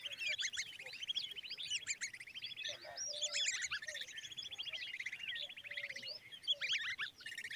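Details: Common babbler young beside their mother give a continuous rapid trill of high chirps, with scattered sharper squeaks over it.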